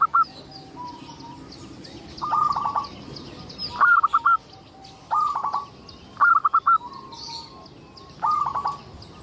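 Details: Local zebra dove singing persistently as a lure for other zebra doves; six short phrases of rapid, trilled, stuttering coos at steady intervals of about one and a half seconds, with faint soft notes in between.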